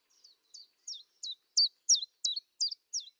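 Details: A common chiffchaff (Phylloscopus collybita) at a kitchen window in Eibar in early March 2018 gives about nine high, sharp, downslurred notes, roughly three per second, growing louder.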